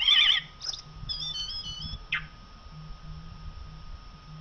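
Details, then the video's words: A common blackbird gives a short, rich warbled phrase, then faint high squeaky twitters and a quick falling note, over a steady faint electrical whine. "song of the blackbird canto del merlo"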